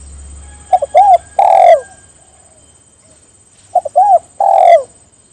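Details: Spotted dove calling companions to join in. Two cooing phrases about three seconds apart, each a pair of quick short notes, then a rounded coo and a longer falling croo. Quiet between phrases.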